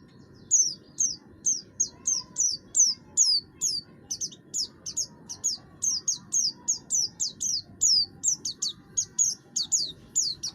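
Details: Harsh-voiced buxtoni oriental white-eye singing, the kind used to stir other birds to sing: long run of rapid, high, downward-sliding squeaky notes, closely spaced and continuous over faint low hum.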